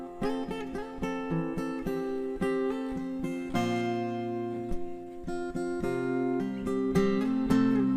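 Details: Plucked and strummed acoustic guitar plays a rhythmic chord pattern, bright and continuous, with no bird or other animal sounds audible.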